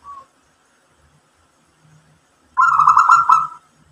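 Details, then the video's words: Local perkutut zebra dove in mbekur song that provokes others to answer. A faint coo opens, then a single loud, fast-pulsed rolling coo phrase about one second long near the end. "PERKUTUT LOKAL GACOR mbekur Ngerot memancing EMOSI jadi NYAUT BUNYI ikut MANGGUNG"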